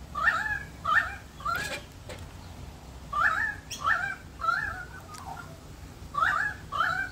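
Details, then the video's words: Australian magpies in a backyard in Australia sing during rain: short, mellow warbled phrases with falling notes, in loose pairs every second or so, over a soft patter of rain. "Singing magpies in our backyard during rain"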